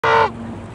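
A Canada goose gives one loud, nasal honk lasting about a quarter second, followed by a low, steady background rumble.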